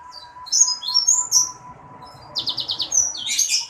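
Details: Sanger bird giving a few high, clear whistled notes, then a quick buzzy rattling series and a harsh scratchy burst, over a steady low electrical hum.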